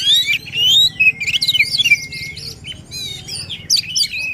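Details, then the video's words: Lively Oriental magpie-robin song meant to stimulate a reluctant bird: loud looping whistles and quick descending slurs, then a quieter stretch before sharp high sweeps return, with low hum behind. "Kacer Gacor Full Emosi, cocok untuk mendongkrak Kacer yang malas bunyi."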